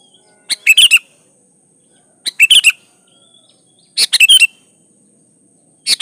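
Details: Sooty-headed bulbul (kutilang), lively 'gacor' singing used as a lure for bulbuls: four short rollicking chirp phrases, repeated roughly every 1.7 seconds, loud and slightly distorted, with a steady thin high tone.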